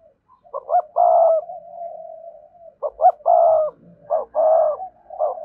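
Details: Spotted dove cooing in a full song to stir wild doves: three loud phrases, each with clipped rising notes and a long steady buzzy coo, joined by softer humming coos.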